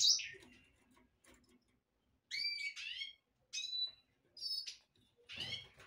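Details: A black-throated canary (Crithagra atrogularis somereni) gives short bursts of bright, high warbling notes with quick sliding trills, separated by brief pauses; faint room noise between phrases.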